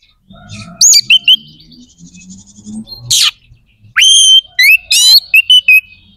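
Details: Lively Oriental magpie-robin song aimed at exciting other magpie-robins' aggression and breeding drive: strident whistles, a harsh raspy burst, then a long steady whistle and rapid chattering notes over a low background murmur.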